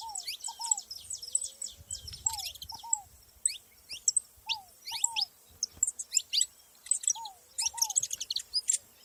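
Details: A chorus of saffron finches in nature: dense, twittering high chirps and falling notes in irregular bursts. Paired lower arched whistles recur every couple of seconds from another bird, with a short rustle early on.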